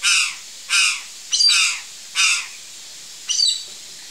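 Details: Curl-crested jay at backyard fruit repeats loud, coarse, buzzy caws, four strong notes at uneven spacing, then a shorter, higher, squawking note near the end.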